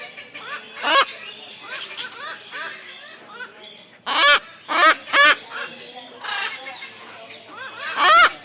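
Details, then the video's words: Cockatoo calls: a run of raucous, grating squawks, several close together in the middle, rising above softer continuous chatter and whistles from other birds. "Cockatoo Sound (parrot species) | Cockatoo singing Sounds"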